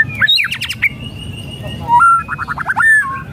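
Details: White-rumped shama song used to provoke a lazy bird into singing: sharp rising whistles and a quick burst of rattling notes, a long steady whistle, then a rapid run of repeated chattering notes ending in whistles.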